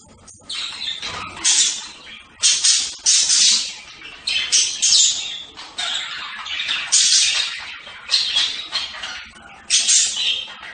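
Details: Budgerigar calls: a string of loud, rasping screeches rising and falling in short bursts every second or so, with soft chatter between them.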